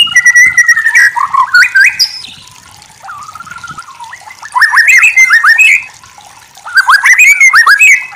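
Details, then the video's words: White-rumped shama singing bursts of loud, varied whistles and chattering notes, separated by quieter stretches of soft warbling, with three main outbursts. "Masteran murai batu terbaik"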